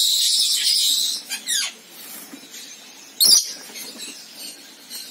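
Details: Rainbow lorikeet, Trichoglossus haematodus: a long hissing, high screech at the start, then short sharp downward squawks and a loud abrupt shriek midway.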